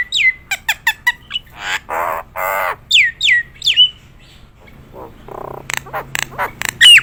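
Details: Nias hill myna with a mix of clicks, short falling whistles and harsh rasping notes, a quieter gap, then more rasps and clicking bursts.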